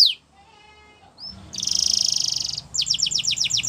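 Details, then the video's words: Canary chirping: a falling whistle, soft thin tones, then a loud buzzy trill held about a second, followed by a run of quick descending chirps. "Canary Chirping Sounds"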